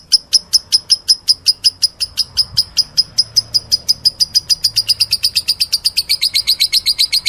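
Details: Lovebird producing a fast, continuous string of shrill chirps, about five a second, strong at first and turning slightly lower and thinner toward the end.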